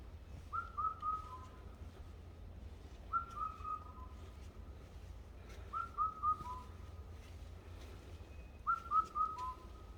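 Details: A bird whistles in the mountains, repeating the same phrase of four quick, clear notes, the last one lower, about every two and a half seconds, over a constant low rumble.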